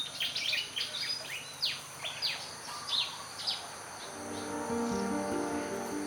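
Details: Pied Fantail calling with varied high, sharp chirps and fast descending whistled notes in an uneven run for about four seconds, then background music takes over and the calls fade.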